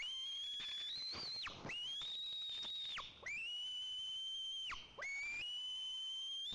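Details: White-tailed eagle at a nest in Nizhnyaya Kama National Park, Tatarstan, recorded by nest camera as the father brings fish to the eaglet: long, thin, high whistles held one to two seconds, each ending in a sharp downward slur, repeated.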